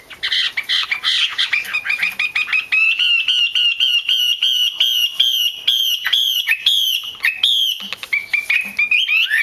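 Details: A female hwamei 'te' call, played to excite cock birds into song: a fast stutter of clipped notes that speeds up into a steady, high, almost continuous rattle, then slows into separate slurred chips.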